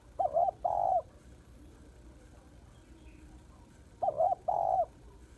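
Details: Female spotted dove giving its call to stir up males, used as a lure for trapping. A brief arched coo, then a longer level purring coo, repeated twice about three and a half seconds apart over a quiet background.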